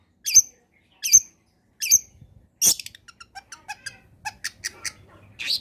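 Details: Long-tailed shrike (cendet) giving a combination song used as a lure to prompt reluctant shrikes to sing: three harsh, squawky notes spaced under a second apart, then a fast jumble of varied chips, clicks and short squeaks.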